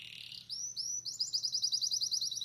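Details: Belgian canary singing: a short buzzy high phrase, then clear upward-slurred whistles leading into a fast, even trill of bright repeated notes.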